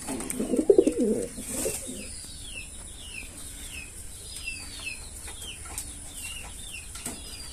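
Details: Male Kaldom pigeon performing, giving a short burst of low, throaty cooing in the first second. Many high, downslurred chirps from small birds follow through the rest.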